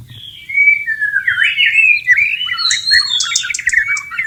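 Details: White-rumped shama singing in the wild while in breeding condition: a sweet gliding whistle leads into tumbling warbles and scratchy high notes in one unbroken phrase.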